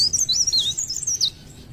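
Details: Leaf warbler singing continuously, a very high, thin, rapid warble of twisting squeaky notes for just over a second before fading into quiet background hiss.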